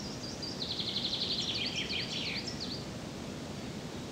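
Great spotted woodpecker: a fast, high chattering series of sharp notes for about two seconds, then a few scattered squeaky notes over steady rustling background noise.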